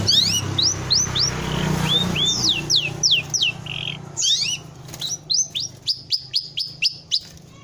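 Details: Sooty-headed bulbul master song: series of clear downslurred whistled notes repeated about three times a second, a short burst of chatter, then more evenly spaced whistles over a low steady hum.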